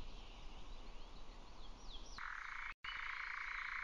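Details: Nightjar, 2019 recording: brief high twittering of other birds first, then a continuous dry, purring trill switches on midway and carries on after a momentary dropout.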